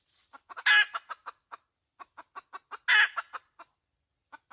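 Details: Hen cackling in two bursts: clucks lead into a loud, ragged squawk, a short quiet gap, then more clucks build to a second squawk before scattered clucks.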